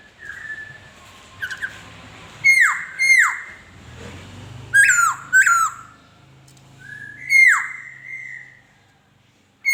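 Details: Laughingthrush song made of loud whistles that drop steeply, delivered singly and in close pairs with short gaps between them, over a faint low hum.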